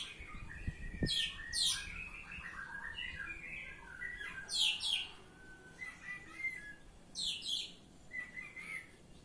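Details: Oriental magpie-robin singing in ngeplong style: clear whistled phrases mixed with rapid buzzy descending bursts, phrases roughly every three seconds, with a few low thumps at the start.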